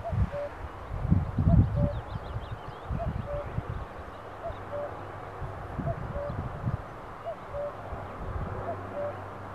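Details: A common cuckoo calling around 4 pm, sitting facing away from the recorder, repeats its falling two-note "cu-coo" about every two seconds over a low wind-like rumble, with faint high chirps from another bird.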